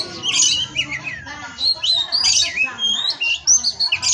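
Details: Kacer, or Oriental magpie-robin, kept at a breeding farm in Indonesia, a 'pastol' tutoring song: bright whistled notes, downward-sliding slurs and quick twittering, phrases bunched into loud bursts with short gaps.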